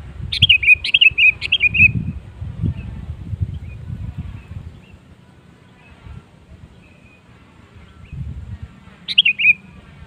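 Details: Prompting song of a sooty-headed bulbul, used to encourage other bulbuls to sing: three bubbly whistled notes at the start, rumbling low background noise, then one more short phrase near the end.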